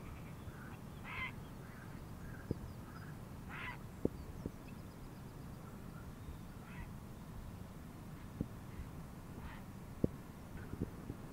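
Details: Wild Grey heron in Palestine, where it winters, uttering rough, grating croaks spaced several seconds apart, fainter among constant broadband hiss and occasional sharp ticking clicks.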